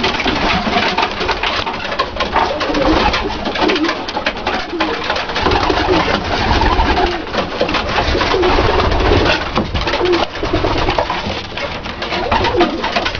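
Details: Domestic pigeons of the Dalıcı (diving) breed, a long stretch of mingled low cooing from several birds beneath loud, continuous flapping and scraping noise.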